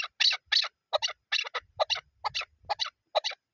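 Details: Chukar partridge, a hunting bird, giving harsh, grating doubled clucks in quick succession, with faint low thumps underneath.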